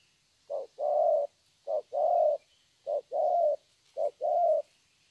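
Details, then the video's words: Young wild-caught spotted dove gives four 'thổ'-style song phrases, roughly one every 1.2 seconds. Each pairs a short coo with a longer, steady coo, over faint background hiss. "Thổ tốt tiếng.(chim tơ)"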